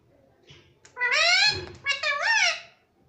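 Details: Young pet rose-ringed parakeet saying "mummy" in a shrill, nasal voice, two strained syllables with rising and falling tone, indoors in a small room.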